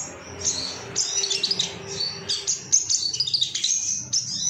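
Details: Excited Ruby-cheeked sunbird looking for rivals, used as training material: a jumble of high, thin chirps and short squeaky trills, fairly continuous, with a faint low steady tone underneath.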